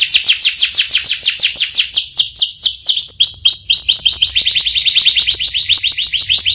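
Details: Canary in an extended rolling song: rapid high trills with sweeping notes around three seconds, then a fast even roll continuing to the end.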